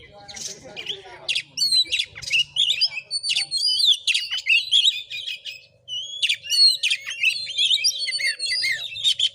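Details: Oriental magpie-robin in a fighting singing bout, recorded in a village in Muko Muko regency, Bengkulu, Indonesia; rapid chattering rasps and clear whistles in dense bursts, starting after a brief harsh noisy opening.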